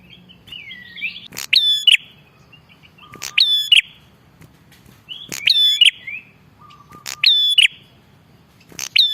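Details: ['A wild-bird lure of a bar-winged prinia calling vigorously. Five loud phrases of click, ringing whistle and buzzy end arrive about every two seconds. Quieter twisting notes and a low tone come between them.']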